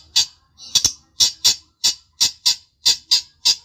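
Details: Long-tailed shrike calling to provoke a rival into answering: loud, harsh, grating squawks given singly or in pairs, roughly two to three per second, with short gaps between.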